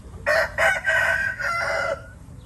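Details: Red junglefowl in Laos crowing loudly: two short, abrupt opening bursts, then a longer drawn-out harsh phrase that trails off, the whole crow lasting under two seconds over quiet hum.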